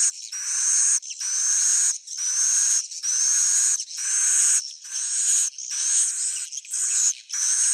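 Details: Roosting sound of swiftlets (suara inap): long steady high hissing buzzy trills about one second each, separated by short silences, each carrying a faint rising whistle.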